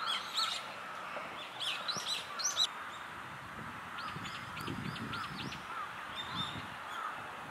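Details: Brown-eared bulbuls swallowing cherries whole; one gives harsh, screechy calls in a quick burst, then a run of five or six short arched chirps, over a low background rumble.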